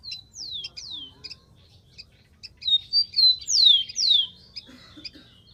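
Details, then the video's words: Wild rufous-collared sparrow delivering two falling whistles, scattered chips, then a louder phrase of level whistles and two steep descending slurs. "BURUNG KICAU"SPARROW RUFOUS"(KICAU MANIA)Full Gacor di alam liar"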